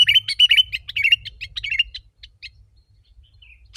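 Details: Sooty-headed bulbul lure for wild birds: a dense run of fluttering, warbled notes dropping in pitch, thinning to sparse chips and a soft whistle, then one harsh chip at the end; low hum throughout.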